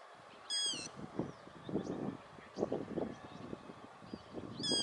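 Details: Yellow-wattled lapwing (Vanellus malabaricus), calling while running, gives two sharp, high, ringing calls at the start and end, over low thumping and rustling noise.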